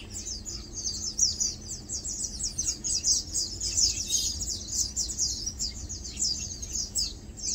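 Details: Several Lowland White-eyes (Zosterops meyeni), or Matang Dulong, resting, feeding and preening together; a dense, continuous run of high, sharp twittered notes, busy and unbroken throughout, over faint low hum.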